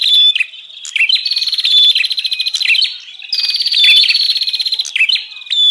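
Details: Lure call of the bar-winged prinia used for trapping wild birds: continuous rapid, rattling buzzy trills in long high-pitched bursts, swelling and dipping in loudness, with brief clicking notes between phrases.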